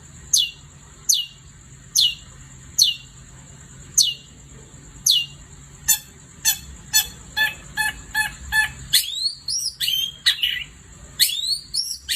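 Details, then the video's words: Night singing of a long-tailed shrike: spaced sharp downslurs, then a quick rattle of short clicks, then louder squealing whistles and rising notes, over a steady high whine. "Kicau Cendet Gacor Di Malam Hari"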